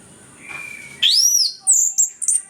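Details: Orange-headed thrush (anis kembang) on a lure recording for birds that sing little; a thin steady whistle, then a loud sweeping upward-arching note followed by short high chirps.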